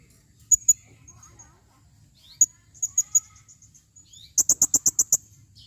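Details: Calling female blue-crowned hanging parrot: scattered high thin chips and short squeaky notes, then a quick series of about seven sharp, clicking notes near the end.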